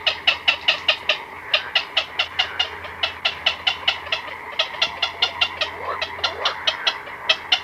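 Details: Black-crowned night herons, chicks and adults together in a colony at night, recorded close up: a rapid run of harsh, rasping clicks, about two to three per second, some overlapping, over a faint steady low hum.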